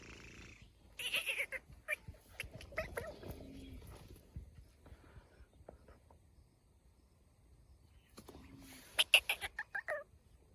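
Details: In Pakistan, a Black francolin (Francolinus francolinus) foraging for food in jungle gives harsh, grating notes in two bursts, ending with a quick run of five or six loud rasping calls, with quiet rustling in the gaps.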